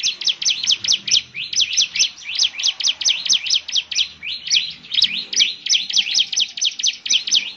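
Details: A bar-winged prinia in full 'gacor' song intended to draw answers from other prinias: an unbroken fast series of high, sharply swept chirping notes, roughly two per second, bright and even throughout.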